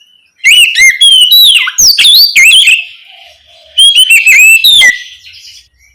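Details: Oriental magpie-robin singing loudly at night, a lure recording meant to prompt other magpie-robins to answer: rich, varied whistled phrases with sweeping and warbled notes in two bursts, the first about two and a half seconds long, then a pause, then a shorter burst.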